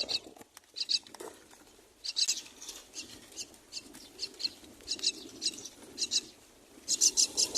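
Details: Begging from four baby mynas in their nest at feeding time: pulsed, buzzy high chirps in short groups with brief pauses, growing denser and louder toward the end, light rustle underneath.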